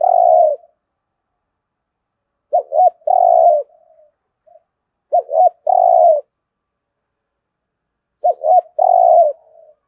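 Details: Spotted dove in rapid driving coo, each phrase a pair of quick clipped notes then a long drawn rolling coo, phrases spaced roughly two to three seconds apart against silence.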